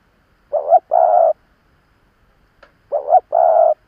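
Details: An experienced spotted dove decoy calling to provoke wild birds, with two identical phrases, each a short rippling note followed by a longer flat hum, and a faint click between them.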